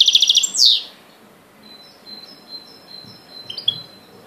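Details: Goldfinch x canary hybrid opens with a fast, evenly pulsed high trill and a sweeping note, then fades into faint, thin, spaced whistled notes.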